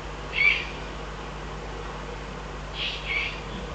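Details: In the Eifel on 22 June 2012, a Eurasian eagle-owl gives one loud breathy hiss, then after a pause two softer hissing bursts close together, against a constant low drone.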